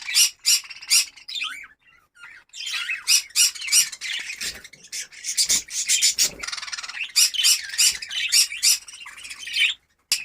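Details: Captive budgerigars of a breeding colony in Darbhanga, Bihar, produce loud scratchy squawks in quick series that merge into a continuous grating chatter, with short silent breaks.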